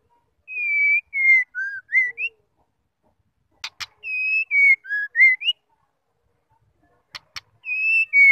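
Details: Female white-rumped shama whistling to provoke males to sing. A five-note whistled phrase of steady, falling and rising tones repeats about every three seconds, and each repeat is preceded by two sharp clicks. Otherwise quiet.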